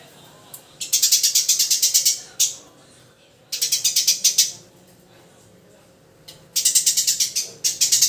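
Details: Eurasian tree sparrow chirping in quick, even series of sharp, scratchy notes, each run lasting about a second and a half with quiet gaps of roughly a second between runs.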